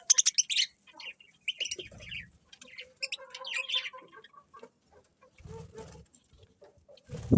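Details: Birds chirping in the morning: quick bursts of high, sharp chirps in clusters, separated by short pauses, with some low thumping and scattered lower notes between them.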